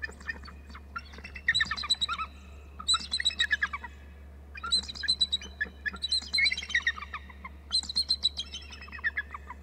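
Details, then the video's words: A pair of eagles at their nest area call on 9 March 2018, one adult perched on a lower branch; high, squeaky, stuttering trills come in five quick bursts roughly every one and a half seconds. "calls eagle trills"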